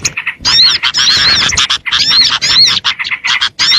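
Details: Small birds' lure call: short bursts of squeaky chattering and bright arched whistles, separated by quick pauses, sounding like an excited flock.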